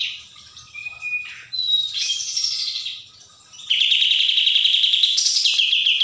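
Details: Sooty-headed bulbul in 'tembak' style song. It gives short whistled slurs, a rising then falling sweep, a quiet gap, and then a dense rapid buzzy trill that steps up in pitch near the end.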